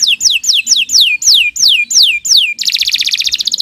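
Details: Morning gacor song of a kenari canary, recorded as a tutor: eight evenly spaced downward-sliding whistles, then an abrupt switch to a fast, buzzy trill.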